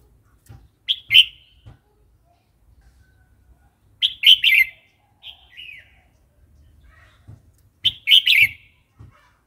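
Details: Varied wild song of a red-whiskered bulbul, used to coax newly caught birds and teach young ones: sharp bright warbled phrases every few seconds with a quieter downslurred note between, plus soft low knocks.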